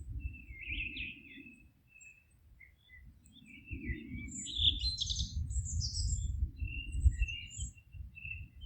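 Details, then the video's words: Scattered high chirps and short twittered phrases from birds in a forest, partly masked by a strong, steady low rumble. "Forest relaxing sounds of singing birds"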